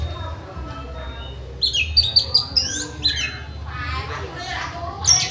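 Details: Orange-headed thrush in song-master training, singing a fast run of sharp high whistled notes, then buzzy rattling phrases and a final bright whistle, over murmuring low background noise.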